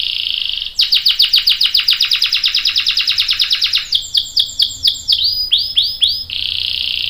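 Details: Canary singing, a long rolling song used to prompt other canaries to answer: fast repeated rising notes, then a rapid trill of downward sweeps and a few looping whistled notes, ending in a steady buzzy tone.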